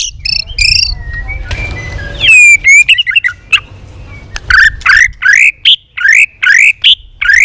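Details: White-rumped shama giving competitive song with tail flicking, varied phrases: high whistled notes, a long sliding whistle, then a fast series of repeated rising, buzzy notes in quick bursts.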